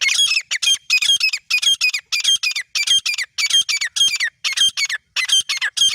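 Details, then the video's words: Pair of grey francolins (teetar) in a clear, filtered hunting recording: loud, ringing, harsh calls in rapid repeated bursts, each with several stacked notes, continuing steadily with short gaps throughout. "Final Sound of Partridge Pair"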